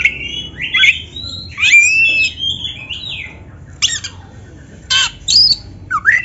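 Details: Oriental magpie-robin song played to train captive birds: sweeping whistled slurs and harsh buzzy bursts, a quiet pause, then short scratchy notes and up-slurred whistles.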